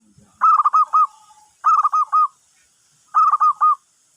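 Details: Zebra dove used as a lure call to draw other birds in: three short phrases of four or five quick, rolling cooing notes, each phrase under a second, spaced about 1.5 seconds apart, in quiet surroundings.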